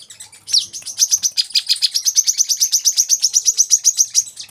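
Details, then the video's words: Olive-backed sunbird song played as masteran for cage birds: after soft chirps, a downslurred note opens a long, fast, even trill of bright, high ticking notes that carries through to the end. "kolibri kelapa | wiceh | manggar | putar suara ini untuk burung bahan agar rajin bunyi"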